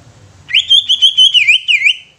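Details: Greater green leafbird song used to trigger other leafbirds: a quick sequence of pure, ringing whistled notes at a steady pitch, turning to downward-dipping slurs toward the end, in an otherwise quiet setting.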